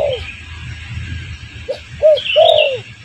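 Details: Spotted dove coos played as a lure for birds, with a falling coo, then a short note and two arched coos, the last long and smooth, over a hissing background with higher chirps.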